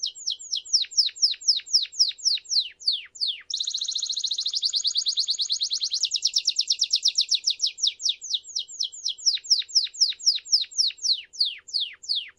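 A Belgian canary sings a long, bright song: rapid high downslurred notes, then two fast rolling trills, then quick slurred notes again.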